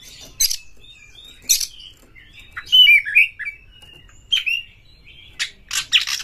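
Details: Oriental magpie-robin singing excitedly as a lure to provoke rivals to fight: sharp scratchy bursts alternating with clear whistled and warbled notes, spaced by short gaps over a quiet background.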